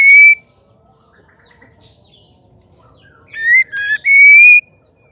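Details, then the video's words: Female white-rumped shama singing, used to stir males into song: a loud clear whistle near the start, a quiet gap, then a burst of rapid whistled notes ending in a long steady whistle. "Murai betina gacor pembangkit emosi murai batu jantan auto gacor"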